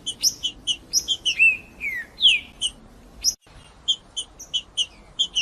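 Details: Green-winged saltator in combative song meant to excite rival males: a burst of high chips, then several slurred, falling whistles, followed after a brief silence by evenly spaced sharp chips.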